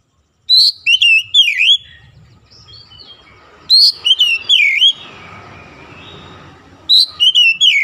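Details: Oriental magpie-robin singing in morning sunlight: loud bursts of sweet, swooping whistles with sharp high notes, phrases about every three seconds separated by quiet pauses with faint low background hum.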